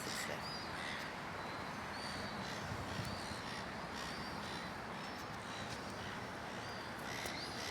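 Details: A seagull gives harsh, repeated screaming calls about once a second at a White-faced Heron that ignores it. The calls are partly masked by wind or rumbling background noise, with a person speaking faintly.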